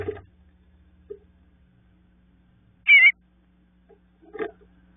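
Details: Young bluebirds in a nest awaiting their parents: one loud raspy, buzzy burst in the middle, with soft knocks and rustling before and after and a quiet hum underneath.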